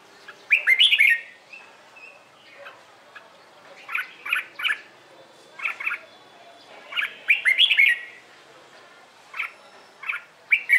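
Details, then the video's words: Red-whiskered bulbul, a trained bird, giving morning competition song used to prompt newly caught birds to sing along: bright, throaty whistled phrases in bursts roughly every one to two seconds, with quieter chirps between and faint background noise. "LUYỆN CHÀO MÀO HÓT ĐẤU/ HƠN 12 P CHÀO MÀO HÓT BUỔI SÁNG KÍCH BỔI RA GIỌNG HÓT THEO THUẦN CHIM NHANH"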